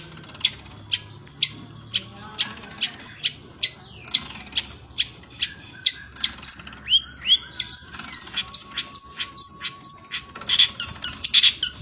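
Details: Long-tailed shrike of the Madura type, kept as a cage songbird, sings a song full of imitated phrases. Sharp, high, clicking notes repeat about twice a second, then quick rising whistles and varied chattering phrases follow over a faint steady hum.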